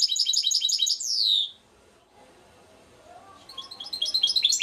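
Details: European goldfinch, called trnan, singing at Šuto Orizari: rapid bright twittering notes in a fast jingling run, then a downslurred whistle, a short silent gap, and the chattering twitter starting again.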